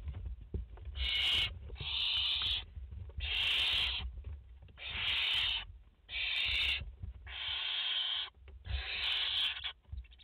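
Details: At a barn owl nest in France with a mother and four chicks, 30 August 2021: seven harsh rasping hisses about half a second each, repeated every second or so, over low rustling and knocks.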